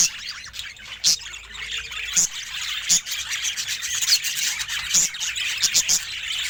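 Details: Pet budgerigar described as happy: softer, scratchy warbling chatter broken by sharp clicks and tapping sounds every second or so.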